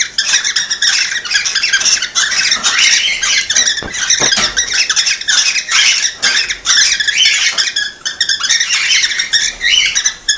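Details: A cockatiel flock chatters steadily, played to encourage breeding: a dense wall of overlapping chirps, squeaks and whistled notes, broken by a few sharp clicks and brief quieter moments.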